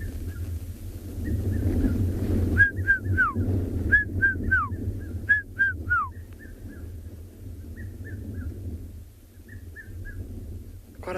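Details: At sunset on 30 October in Tswalu Kalahari Reserve, South Africa, a Red-chested Cuckoo calls from thickets around a clearing as the last light fades, giving repeated sets of three loud, whistled, falling notes, with softer calls from other birds over a low rumble.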